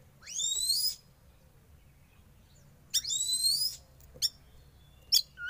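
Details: Young wild-caught Oriental magpie-robin undergoing sauna therapy, a bird-keeping practice: two loud descending whistled sweeps with rich overtones, about three seconds apart, followed by short sharp chips and a rising whistle at the end.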